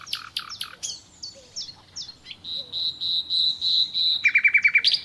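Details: Nightingale song with sharp downward-swept notes, a slow series of high sustained whistled tones growing louder, then a quick rattling burst of repeated notes at the close.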